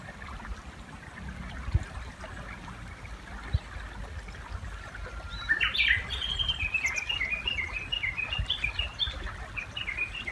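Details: A Japanese bush warbler singing by a river, using two different call types: a drawn-out low whistle breaking into a bright flourish, then a long run of quick, repeated chattering notes over steady river noise.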